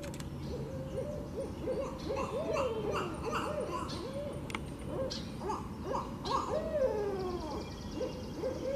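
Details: Barred owls calling together in a lively exchange of hoots and descending, wavering caterwauls, several overlapping phrases tumbling over one another in a dense chorus with sharp clicks between.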